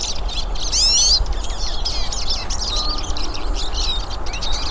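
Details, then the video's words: Hooded siskins in nature, a number of birds singing: loud, swooping whistled notes and fast, warbling twitters layered into a busy high chorus. "VÁRIAS PINTASSILGO CANTANDO NA NATUREZA"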